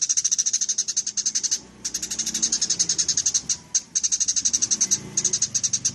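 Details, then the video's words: Eurasian tree sparrow giving gacor full nyrecet chatter, used as a master voice for other songbirds. A near-continuous stream of fast, high, clicking notes runs in long runs separated by three short breaks. "Suara burung gereja gacor full nyrecet"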